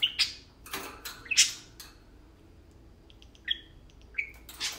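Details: Tame parakeets playing: a few harsh chirps and scratchy notes at first, then a quieter stretch with soft, short whistled chirps and a final noisy burst.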